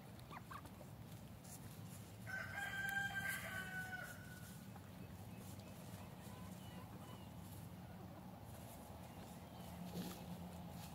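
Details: Free-range backyard flock with its F3 Olive Egger rooster. He delivers a two-second cock-a-doodle-doo with bright, layered harmonics. A droning low hum and scattered faint clicks run throughout.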